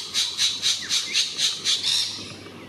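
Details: A spangled drongo calling in treetops in northern New South Wales, Australia, gives seven harsh, scratchy high notes about four per second, ending in a longer rasping note.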